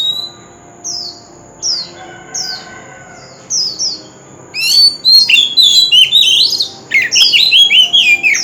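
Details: Oriental magpie-robin song for stimulating other singers: several evenly spaced falling whistles give way to an energetic, varied outpouring of bright whistles, trills and slurred notes, pausing briefly before resuming.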